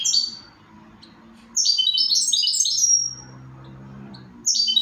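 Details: Goldfinch song in quick, high, jangling twitter phrases, a short burst at the start, a longer tumbling run from about 1.5 to 3 seconds and another beginning near the end, over a soft low hum.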